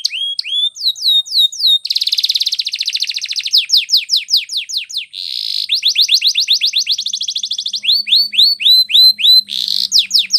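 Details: Training song of a canary: rising whistled swoops, a dense buzzy rattle, a smooth lower tour, then rapid descending chip series and more upswept whistles in quick succession, loud and varied.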